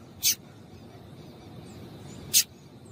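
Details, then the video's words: Female double-collared seedeater giving calls to stimulate males: two isolated high, piercing chips about two seconds apart over a soft steady hiss. "Piado de Fêmea de Coleiro Para Esquentar Coleiro"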